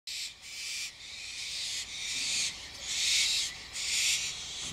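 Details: Adult and juvenile barn owl calling together at 11:30 at night; long harsh hissing screeches, broadband and noisy, about a second each, following one another with brief gaps throughout.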